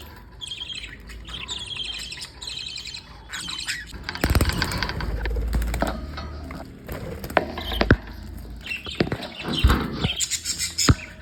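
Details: Budgerigars in a house of 11 budgies chirp in quick, high repeated bursts, broken by a spell of fluttering wings and low rumble.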